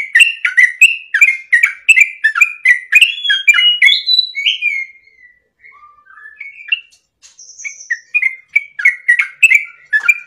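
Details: A lively sooty-headed bulbul sings for caged birds to learn from and answer. A busy stretch of repeated sharp chirps gives way to softer sliding whistles, then the rapid chirping returns.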